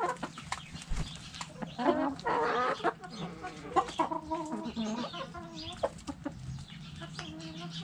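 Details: Backyard chickens in a coop, hens clucking: a busy mix of overlapping harmonic clucks and squawks from several birds, with brief louder bursts around the middle and a steady low hum beneath.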